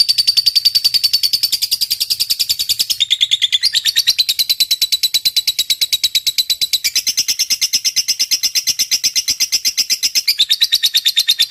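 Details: Lovebird in full song, delivering its long ngetik (typing) song, used as a training recording for other lovebirds: an unbroken, very rapid high chattering trill lasting over ten seconds, with brief pitch drops at a few points, then climbing back up.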